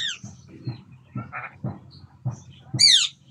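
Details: Red-breasted parakeet during mating time: short scattered squeaky calls over a steady low hum, a brief buzzy note midway, then one loud, ringing, downward-sweeping screech with stacked overtones to close.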